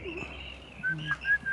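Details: Rainbow bee-eaters at dusk on the King George River, Kimberley, Australia, give short, clear mid-pitched calls, about four in quick succession, over a faint steady higher note and soft background hum.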